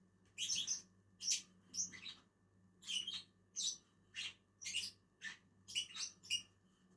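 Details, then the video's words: Two lovebirds feeding in a tree keep up a run of high, harsh chirps, brief separate bursts spaced about half a second apart, over a low steady hum. "two inseparable Agapornis eating on a tree"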